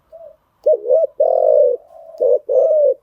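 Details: Spotted dove call meant to train freshly caught birds: a soft lead-in note, then a hoarse double coo, a long sustained coo and a final doubled phrase, all low and throaty.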